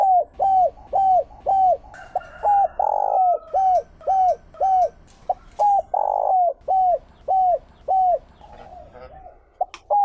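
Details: Spotted dove kept as a lure for wild birds, calling in the 'Chiêu Ba Hậu' style: about twenty quick, evenly spaced arched coos, interrupted by two drawn-out, fuller notes, ending in a quieter stretch with a few clicks.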